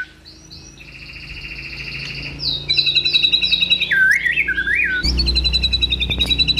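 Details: White-rumped shama (murai batu) giving 'tembakan' and 'isian' song: drawn-out high whistles, then a quick pulsing trill with looping whistled notes, ending in a fast, harsh repeated chatter over low background hum.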